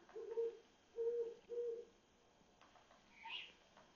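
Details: Owl calling at 1:00 am on 27 July 2021 from an electric pole in Mount Washington, Cypress Park and Glassell Park. It gives three even, low hoots in quick succession, followed by a higher chirp from another night bird.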